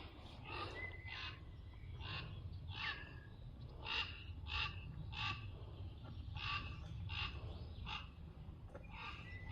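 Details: A Common Raven's rapid, harsh, hoarse croaks, about a dozen in nine seconds and slightly uneven, played at the push of a button at the Domaine des grottes de Han, over a low rumble. It is a call rarely heard.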